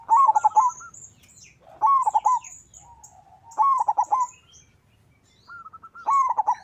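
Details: Local zebra dove in full song, played to make rival doves answer: four bubbling, stuttering cooing phrases about every two seconds, with high thin whistles and chirps of small birds in the gaps.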